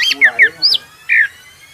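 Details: Brown-throated sunbird (konin), singing to provoke rival birds: four short, sharp chirps, some sliding downward, in quick succession, then a pause and one longer falling chirp.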